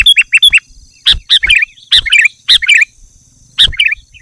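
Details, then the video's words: Sooty-headed bulbul song meant to provoke wild bulbuls into answering: clusters of bright, chirped, slightly bubbling notes in quick bursts, separated by short silences. "Suara Burung Kutilang Gacor Memanggil Kutilang Liar Bikin Burung Kutilang Emosi Dan Ikut Gacor"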